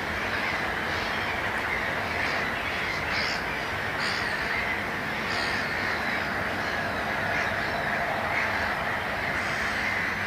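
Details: Eurasian coot gives short, sharp, crow-like calls every second or two, partly masked by a steady hiss of wind or water; Suomenoja Wetland, Espoo, Finland, May 20, 2011.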